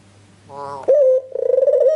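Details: White Ringneck dove lure call: a brief nasal buzzy note, then a clear sharp coo that runs into a rolling, pulsing purr.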